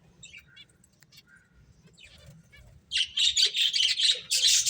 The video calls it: Beautiful Birds Chirping Sounds | Cute Finches Playing